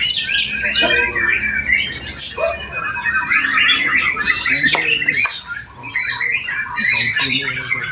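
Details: White-rumped shama (murai batu) in the bowing posture, singing a very sharp song rich in isian fill-in phrases; dense, rapid, varied whistles and buzzy trills with short chattering bursts, almost unbroken across the recording.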